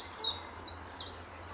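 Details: Early-morning chiffchaff flicking about and preening near Standalone Farm, Letchworth, in March 2014. Three sharp, high notes each drop in pitch and are spaced about 0.4 seconds apart, with a quiet low rumble behind.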